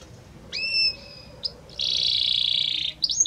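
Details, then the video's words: Belgian canary song, the bird moving gradually from note to note: a clear drawn-out whistle, a short pip, then a long dense buzzy trill, ending in quick rising chirps. "Como canta este Canário Belga!"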